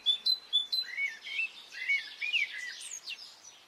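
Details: Birdsong on a spring morning in Brittany: a few sharp, high chirps open, followed by a continuous run of quick whistled and warbled phrases, rising and falling, with loud notes spaced roughly every half second.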